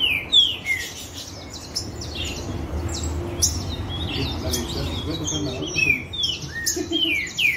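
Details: Green-winged saltators in a ruckus of dispute singing: many overlapping clear whistled phrases, mostly descending slurs, tumble over one another several times a second, with a low steady background hum throughout.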